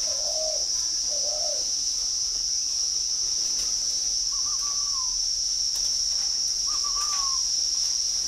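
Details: Caged Spotted Dove, the middle cage, with a resonant "âm đồng" voice, coos softly: two short low notes, then two longer, higher slurred coos a few seconds apart, under a steady high-pitched whine.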